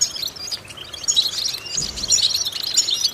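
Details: European goldfinch song for vocal training of goldfinches: a quieter start, then lively high twitters and bright tinkling notes that grow denser, with a brief low thump midway.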